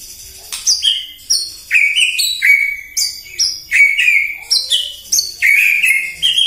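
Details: White-rumped shama morning song aimed at provoking other birds: sharp high notes alternate with clear falling whistles, repeated steadily, with about two phrases per second.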